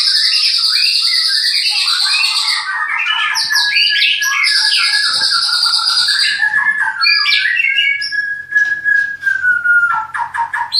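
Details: Captive white-rumped shama from a breeding farm in Klaten, Indonesia, delivering a long, dense run of chattering and trilled notes that ends in a drawn-out level whistle and scattered sharp notes.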